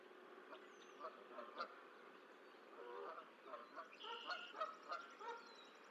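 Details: Goose calling at a nest in Decorah, taken over from eagles, as the last of six goose eggs hatches on 14 April 2024; short harsh honking notes in uneven bursts, louder near the end, over steady hiss with faint chirps.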